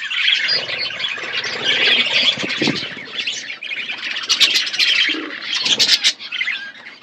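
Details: Budgerigars in a natural outdoor aviary while eating seeds, a dense flock chatter of warbling, squawky chirps mostly high-pitched, continuous over several seconds with brief louder bursts and a few low thumps.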